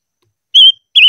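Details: Silver-eared mesia training its voice: two clear, steady whistled notes at the same pitch, the second slightly wavering, separated by a short gap.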